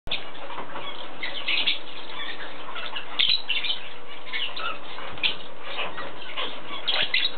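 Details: Lovebirds chattering without pause: dense, scratchy chirps and squeaks in overlapping bursts, with a steady background hum throughout.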